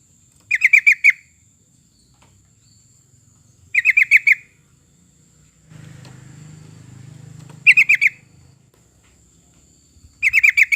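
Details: Sooty-headed bulbul song, played to coax other birds into singing. Four bursts of quick, chattering notes about every three seconds, with a low rumbling hum midway through.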